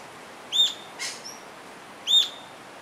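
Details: Rufous-tailed jacamar calling with two piercing high notes roughly one and a half seconds apart, each with bright upper harmonics; a soft breathy burst and a faint thin note fall between them.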